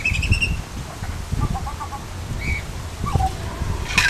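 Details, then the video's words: Butcherbird calling with a high warbled opening note, a quick run of short low whistles, then slurred notes, over heavy low-frequency rumble and a sharp noise at the end. "Butcher bird call"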